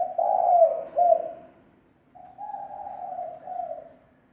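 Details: Spotted dove giving a lure call, recorded clean without background noise: two long, low, hoarse coos, the first swelling and wavering, then after a pause a steadier drawn-out coo ending in a slight lift.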